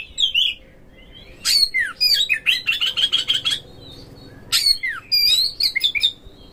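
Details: Oriental magpie-robin lure song to set magpie-robins singing hard, spreading their tails and fighting: a whistled opening, then a dense run of rapid chips and falling slurs, a pause, and more rich warbled whistles.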